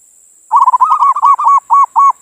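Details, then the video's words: Local zebra dove (perkutut) manggung bait song: a run of about ten rounded, bouncing low coos, spaced more widely toward the end, over a constant high-pitched hiss. "suara perkutut pancingan birahi"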